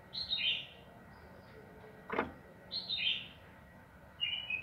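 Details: Yellow-vented bulbul (trucukan) lure recording: a few high, buzzy, falling slurred notes spaced about two seconds apart, with one sharp knock between them.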